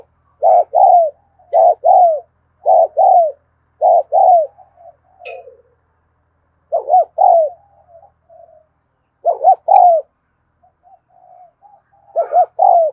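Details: Spotted dove giving 'thúc gù' coos in an afternoon recording: a run of four quick double coos, a pause filled with soft murmured notes, then further pairs, with a few faint clicks.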